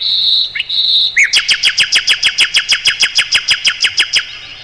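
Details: Mugimaki flycatcher song used as a tutor for songbirds: two long, level high whistles, then a fast, steady trill of about twenty crisp, evenly spaced notes.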